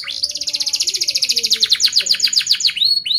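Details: Canary delivering a fast, closely rolled song to teach juvenile canaries: a rising note opens into a quick, evenly pulsed trill that slows into separate descending chirps, ending with two clear whistles.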